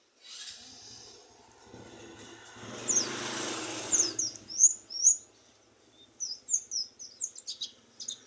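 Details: Oriental white-eye singing vigorously: a run of sharp, very high, quick chirps and short slurred notes in the second half, after a burst of broad rustling noise and low background hum.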